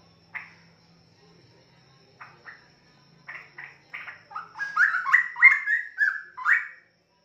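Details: A caged juvenile straw-headed bulbul of forest stock starts with scattered single chips, then builds into a rich, bubbling run of rising and falling whistled notes before stopping abruptly, with quiet indoor background.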